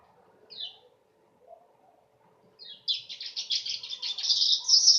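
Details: Weaver song that is described as sharp on the ears and nearly like a canary: two brief high chirps, then from about three seconds a dense, buzzy, sizzling chatter that grows louder to the end.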